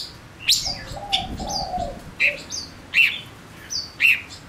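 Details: Male Gouldian finch singing as a decoy for wild birds: loud sharp chips roughly once a second mixed with flat high whistles, plus a soft low droning note in the first half.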